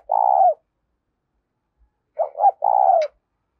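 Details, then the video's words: Spotted dove cooing in the insistent 'thúc' style, a voice used to lure wild doves in: one drawn-out low coo, a pause, then a short doubled note leading into another long coo. "Tiếng cu gáy THÚC hay giọng hạp bổi, mở lên bổi rừng nhanh về cội"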